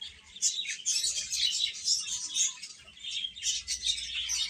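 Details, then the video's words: Chicks peeping busily, about two chirps a second but irregular, with overlapping high notes in a dense stream and a soft low hum in places. "Cute Chicks Chirping Sounds"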